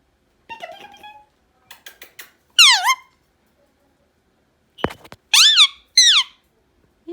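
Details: Loud Indian ringneck parrot in a room with scattered faint clicks and taps, then bright, falling screeches, one alone and two in a quick pair.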